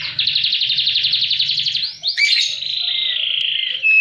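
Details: Singing canary, high and low, meant to coax silent canaries into song: a long, even, rapid rolling trill, a brief squeaky flourish, then a sustained fluttering trill ending on a clear high whistle.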